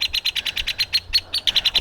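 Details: Hairy woodpecker making a ruckus beside Lake Chelan in the North Cascades, Washington, in fine weather, giving a rapid, even rattling whinny of sharp high notes, about eight per second, over faint low rumble.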